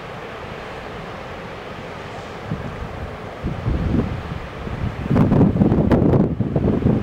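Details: Strong wind and rolling surf roar on Ameland, building into loud bursts of buffeting toward the end, with no animal voice.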